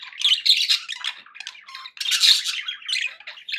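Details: Budgerigars chattering to cheer up pet parakeets: two loud bursts of grating squawks and whistled chirps, separated by a quieter murmuring stretch.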